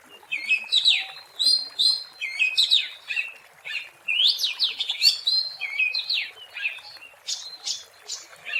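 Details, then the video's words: Kacer, the Oriental magpie-robin, singing in the wild as lure material: continuous lively medley of sharp sweeping whistles and chattering notes, steady and energetic. "SUARA ASLI BURUNG KACER GACOR BUAT PANCINGAN DAN PIKATAN MP3 DI ALAM LIAR"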